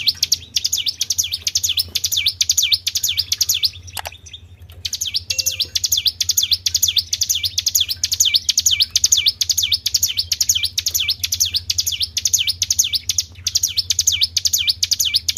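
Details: Lure recording of a Tribel bird: high, swooping V-shaped notes repeated about twice a second, briefly broken near the four-second mark by a click, with a constant low electrical hum beneath.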